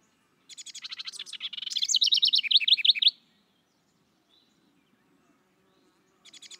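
House Wren song: a hurried, jumbled burst of buzzy chatter that steadies into a run of bubbly, descending notes, about three seconds long, then starts again.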